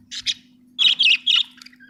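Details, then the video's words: Budgie giving a quick pair of scratchy chirps, then three louder buzzy warbled notes in a close row, ending in soft chatter over a low steady hum. "budgie chirping sound"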